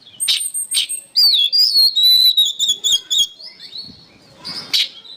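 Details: Oriental magpie-robin song as training material for songbirds: two sharp chips, then a long sweeping whistled phrase with rapid ringing high trills above, fading into a soft note and a final sharp chip.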